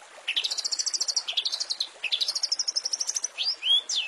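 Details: Long-tailed shrike song from a master recording for training caged songbirds, full of fill-ins: two long, rapid, warbling trills, each rising at the start, followed by two loud, slurred whistles.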